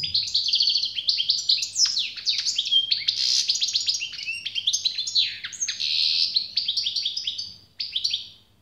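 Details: Long, energetic goldfinch song of nearly nine seconds: a continuous jumble of liquid chirps, sharp downslurs and short buzzy notes, ending with a few separate twitters, low hum in the background.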